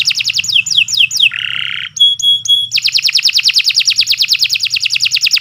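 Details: Canary, kenari, in continuous master song for training: swooping whistles, a buzzy roll, three clipped tones, then a steady rapid trill of repeated notes, with a low hum throughout.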